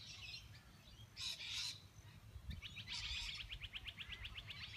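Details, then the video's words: A butcherbird, described as friendly, sings in the morning at Byron Bay, Australia: a brief bright phrase, then a fast run of sharp high notes, about eight per second, over a low background rumble. "Butcher Bird Singing"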